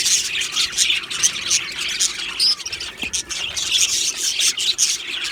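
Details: Aviary colony of Australian budgies, described as happy: a busy flock chatter of rasping squawks and high chirps, with an occasional clearer whistled note standing out above the din.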